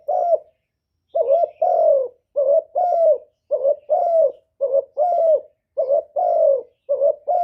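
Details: Captive lure spotted dove repeating mellow coo phrases almost without pause, short rolling notes alternating with longer descending coos roughly every three-quarters of a second.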